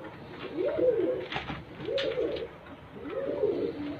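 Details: Pigeon, said to be the world's smallest pigeon type, cooing: three soft, rolling arched coos, each about half a second long and spaced roughly every one and a half seconds, with light clicks and shuffling between them.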